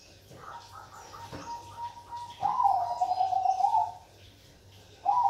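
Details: Zebra dove of the Bangkok perkutut type: a faint steady tone, then one loud rippling trilled coo phrase lasting over a second, with the start of another phrase cut off at the end.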